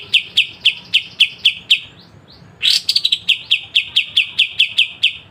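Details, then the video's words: Kapas tembak, the pied triller, delivering a crisp repeated song: a steady row of high sharp notes, a short gap with two soft sliding notes, then an explosive burst followed by another quick even series. "Masteran full kapas tembak dengan besetan tajam"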